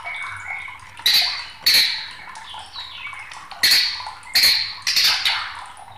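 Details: White-rumped shama in agitated, raging mood, singing as a training and baiting recording for other songbirds: harsh, scratchy bursts with sharp high notes, delivered in irregular clusters about every half second to two seconds, with quieter rasping between.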